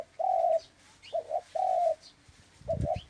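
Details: Loud, close dove coos: a long level coo, a quick doubled note, another long coo, then a short note cut by a thump; faint high bird calls in the background.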